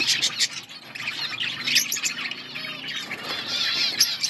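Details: Outdoor colony of budgerigars: a lively chorus of chirps and warbled chatter, louder bursts of sharp squeaks at the start and end.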